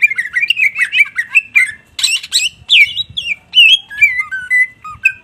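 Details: Cucak ijo, the greater green leafbird, pours out warbling gacor song: rolling whistled notes, harsh bursts, then descending clear whistles spaced about a third of a second apart.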